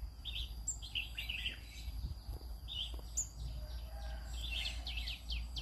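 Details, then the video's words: Green-cheeked conure singing in the morning: a steady run of squeaky, chirping notes, some rising and some falling, repeated with hardly a pause over a low background hum. "I sing every morning Aren't you bored? green cheek conure"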